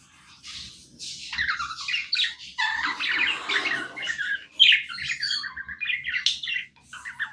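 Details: Pet budgerigar chirping non-stop, a busy run of scratchy warbles and squawky chirps in quick succession, with a few soft low taps underneath.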